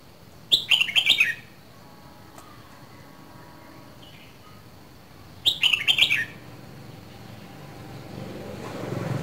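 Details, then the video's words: A Red-whiskered bulbul kept as a songbird, from Dak Lak, Vietnam, two seasons old, repeats a short warbled phrase of fast sweet whistles twice, about five seconds apart. A low rumbling noise rises near the end. "CHÀO MÀO LÂN DAK LAK 2 MÙA SIÊU BỘNG"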